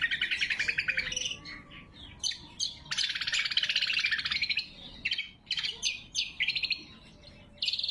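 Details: Greater green leafbird song, loud and sharp, used as a lure and training recording: rapid chattering buzzy phrases and trilled bursts, often repeated, switching pitch every second or so, with brief pauses between bursts.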